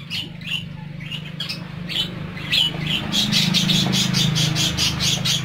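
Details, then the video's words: Pet parakeets chirp in quick, bright tweets, about three or four per second, growing faster and busier toward the end over a steady low hum. "PARAKEETS (Listening To Their Tweets)"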